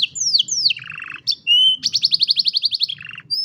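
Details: Canary singing as training for young canaries: two downward-slurred whistles, a low buzzy trill, a steady whistle, then a fast even trill of about a dozen notes and a closing buzz.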